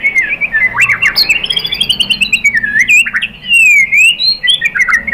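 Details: White-rumped shama (murai batu) lure song, used to provoke other birds into answering and singing: loud, continuous run of clear whistled phrases rising and falling, sliding notes interspersed with sharp chirps and brief high squeaks.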